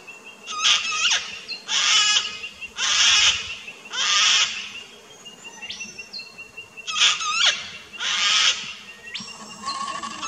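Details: Boisterous calls of a Sulphur-crested cockatoo in an Australian backyard, recorded 21 September 2019 with a Nikon Coolpix P900: loud grating screeches in two bursts of three or four, each about half a second long, over faint background whistles.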